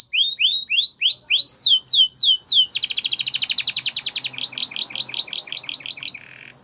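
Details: Training song of a Spanish Timbrado canary. Drawn-out upward-curving whistles come about twice a second, then switch to a rapid metallic roll, and finally slower rising notes. A faint steady tone sits underneath.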